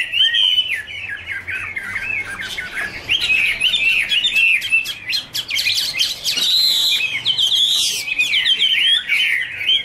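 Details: Wonderful warble of a Chinese hwamei duet: fast looping whistles sweeping up and down, dense rapid phrases that grow busier and higher midway, with birds dancing and flicking their wings.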